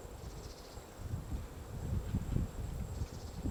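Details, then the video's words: At Gongsanseong Fortress in Gongju, South Korea, a White-backed woodpecker digs its nest in a tree on a March 2024 morning, giving soft, muffled, uneven tapping that grows louder after the first second, over quiet outdoor hiss. "둥지를 파는 큰오색딱다구리 White-backed woodpecker digging a nest"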